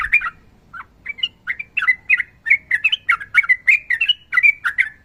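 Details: Sooty-headed bulbul in fighting mode, a female calling a male, singing a long phrase: a steady string of bright, slurred chirps and whistles, rising and falling, repeated about three times a second.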